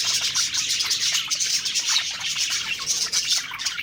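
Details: Contented parakeet budgies while eating, a short burst of thin, high chirping and warbled twitters from several birds calling at once.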